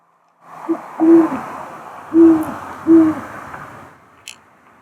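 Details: A Great horned owl that often sits on a house roof and hoots all night gives deep, soft hoots at night: a brief lead note, then three longer low hoots about a second apart, over a steady hiss.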